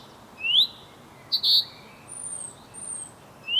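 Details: Male chaffinch calling to his mate: a rising whistle, a brief sharp double note, then faint thin high whistles before the next rising note.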